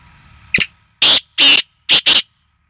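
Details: Harsh, rhythmic call of a black francolin, known locally as kala teetar: a quick thin note, then two drawn-out rasping bursts and a closely spaced pair of shorter grating notes, over a soft background hum.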